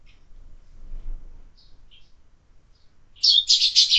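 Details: Sparrows at a window-mounted feeder used for year-round feeding: near silence with a few faint high chirps, then a burst of loud, rapid, shrill chirping in the final second.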